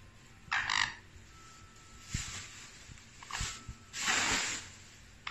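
A sun conure gives harsh, raspy squawks in short bursts, separated by brief pauses.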